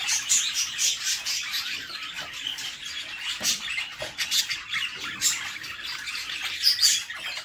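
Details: While the female budgie feeds them inside the nest box, the chicks keep up a shrill, buzzy begging chorus of rapid squawks in uneven surges.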